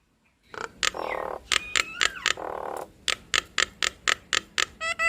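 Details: Nias hill myna pair in duet: rasping squawks followed by a steady series of sharp, loud clicking notes about four per second, ending in a short whistled note.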